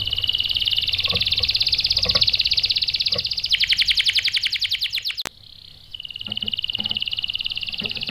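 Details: Prolific canary song used as a lure to make other canaries reply with rolls: a long high rolling trill shifting into a broader, faster pulsed tour, a short gap, then another even roll, with faint low knocks.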